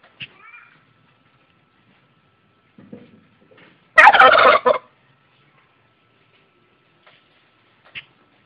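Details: Male turkey gobbling in a backyard: one loud, rapid, rattling gobble lasting under a second, with a few faint quieter sounds before and after.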